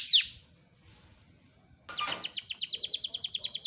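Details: Loper canary, kept as a training bird for a long rolling song: one sharp note, nearly two seconds of quiet, then a fast even trill of high repeated downslurred notes.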